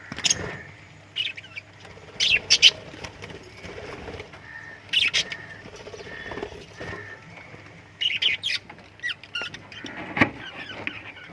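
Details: Chirping lovebirds in scattered clusters of sharp, high squawky notes separated by quieter gaps, with occasional soft thumps and rustling between bursts.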